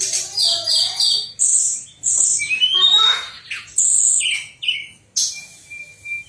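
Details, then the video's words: Pied fantail contest-training song made of strong whistled phrases, repeated chirps and a rising slurred note, ending on a long even high whistle. "Manis Kicauan TLEDEKAN"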